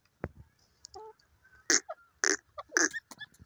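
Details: Grey francolin pair calling, with the female's voice noted: three loud, harsh, broadband notes about half a second apart, preceded by softer clucks and faint tonal notes, in a quiet setting.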